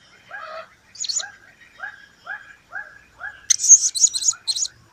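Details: Blue-crowned hanging parrot: a run of rapid, shrill, high-pitched squeaky notes in the final second and a half, after one early burst. Earlier, evenly spaced lower downslurred chirps repeat about every half second.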